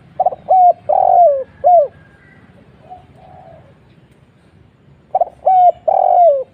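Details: A spotted dove's 'kuk 1' lure call, two complete phrases about four seconds apart, each a quick stutter, a short coo, a long broad coo and a downslurred final note, soft and mid-pitched.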